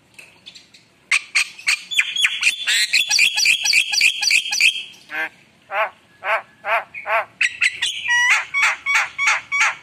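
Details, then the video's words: Lively Javan myna song full of fills: soft clicks, then loud dense harsh chatter with whistled overtones, wavering nasal notes, and a run of sharp whistles at the end. "Suara Jalak Kebo Gacor Penuh Isian Mewah"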